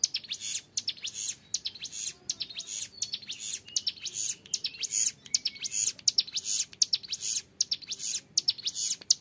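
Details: Long ngebren performance by a young Hill Prinia: continuous high, dry rattling bursts of clicks and buzzes, repeated well over once per second with brief pauses.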